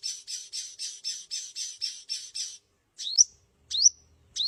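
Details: Sunbird song opening with a fast series of buzzy, rasping high notes repeated about four times a second for over two seconds, then three sharp upward-sweeping whistled notes after a pause.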